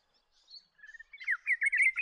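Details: Spotted bowerbird from the inland woodlands of eastern Australia: a few faint scratchy notes, then a quickening run of harsh, chattering bursts that grow louder toward the end.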